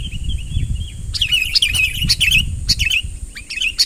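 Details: Sooty-headed bulbul luring a rival closer, soft wavering whistles at first, then after a second sharper bubbly chirps in clusters, with low rumbling noise and a steady high tone throughout.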